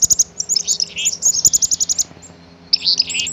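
Black-capped chickadee giving quick, very high thin chips in rapid runs, mixed with a few lower, buzzier notes; a faint low hum sits underneath.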